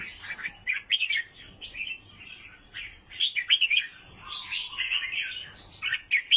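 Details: Bubbling, chirpy song from a Vietnamese albino sooty-headed bulbul, phrases of quick slurred notes repeated in waves, with a lower steady whistle in the middle.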